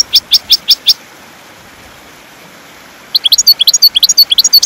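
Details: European goldfinch song for teaching caged birds to sing: five bright upswept notes in quick succession, a pause of about two seconds, then a busy burst of high, rapid twittering.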